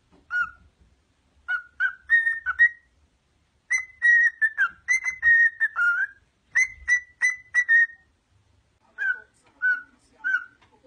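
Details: Singing pet parrot whistling a long tune: short bright notes grouped in quick runs, some level and some dipping, with pauses between phrases, clear and dominant over a quiet room.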